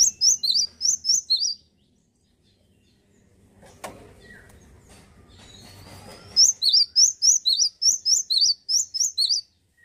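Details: Male Java sparrow singing in a lively, vigorous way: rapid series of high, sharp chirped notes, bursts of about a dozen repeated notes around one second long, a quiet gap with faint rustling between them.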